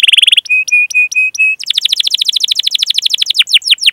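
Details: Canary singing cuit-cuit calls to train young canaries: a brief rapid trill, five evenly spaced level whistles, then a fast tour of falling chip notes ending in wider swoops.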